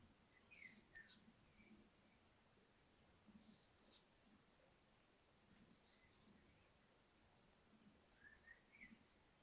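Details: Young little owls from a brood of five, exploring a balcony on a live stream, give three short, high, breathy hissing calls about every two and a half seconds, with faint chirps between them.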